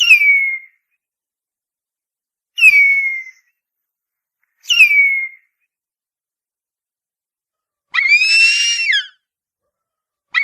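Harpy eagle giving three thin, high whistled screams that slide downward, about every two seconds, then a longer, harsher wavering wail; no other sounds.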